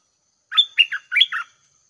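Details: Red-whiskered bulbul decoy bird at six in the morning giving a short, lively phrase of four or five chirpy, up-and-down warbled notes.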